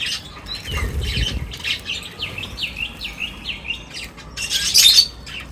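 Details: Birds calling at a feeding gathering: a series of repeated short down-slurred whistled notes, other mixed chirps and a brief loud squawk near the end, with low rumbling noise underneath.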